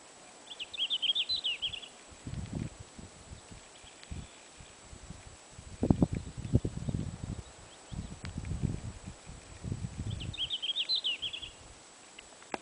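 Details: Singing first-summer male red-flanked bluetail near Ruka in Finland, 13 June 2007, giving two brief, bright warbled phrases about nine seconds apart, over repeated low thudding and rustling noises.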